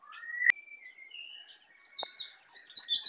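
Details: Young caged white-eye native to Bali, just learning the ngeplong song style. It gives a rising whistle, then a rapid string of high, sharp twittering notes that climbs and quickens toward the end, with two loud clicks.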